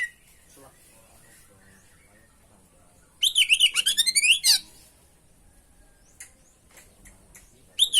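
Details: Kacer, the oriental magpie-robin, in 'gacor' tutor-and-lure song: a fast run of about a dozen repeated upward-sweeping whistled notes over roughly a second and a half, then near silence with faint ticks and a final sharp note.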